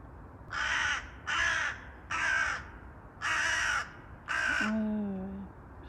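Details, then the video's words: Restless, agitated crows calling: five harsh, broad, raspy caws, each about half a second long, spaced under a second apart. A woman's voice begins speaking over the last caw. "У ворон неспокойно 😅 Crow sound effects"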